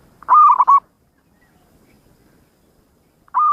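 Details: Loud trilled coo phrase from a local zebra dove in song, a fast quavering run of three or four pulses, followed by silence and the start of another phrase.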